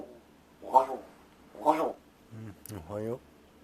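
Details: Rescued large-billed crow practising talking, attempting words like good morning and food: two raspy caws, then lower, wavering word-like sounds with a sharp click between them.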